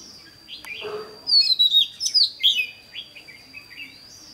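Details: Decoy red-whiskered bulbul used in trapping, 28 May 2016, delivering a loud rapid run of bright, swooping whistled notes, about six strong syllables in quick succession, trailing into softer twitters after a brief rustle.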